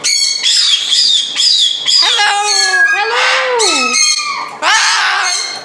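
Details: Cockatoo at a parrot adoption aviary in Canada gives harsh, loud, raspy screeches mixed with drawn-out, wavering voiced calls that swoop up and down, a mimicked "hello", while dancing and screaming.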